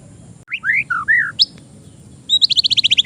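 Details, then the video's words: Caged young oriental magpie-robin used for song training: a few clear slurred whistles, a sharp high note, then a fast even series of about ten high chips. "MASTERAN ATAU PANCINGAN BURUNG MURAY BAHAN"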